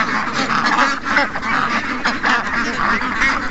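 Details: Ducks and geese, more than 700 of them, in a morning rush; loud layered quacks and honks pulse in short bursts over a constant crowded background.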